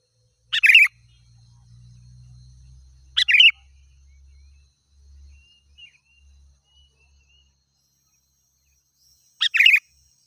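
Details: Sooty-headed bulbul, chatty song used to provoke wild birds: brief burry chirping bursts, two close together then a long pause before a third, with a faint low hum between.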